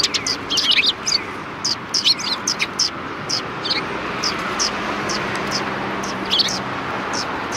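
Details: Several sparrows greet a person at the back entrance of a Tenmangu shrine in late February 2020. Dense clusters of shrill chirps crowd the first three seconds, then thin to scattered single notes.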